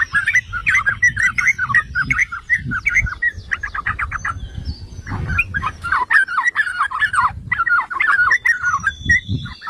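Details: Yellow-vented bulbul (trucukan) song for provoking and training other bulbuls. Bubbly, warbled phrases give way to a quick series of buzzy, repeated notes, then a short gap, then renewed chattering, with soft low thumps underneath.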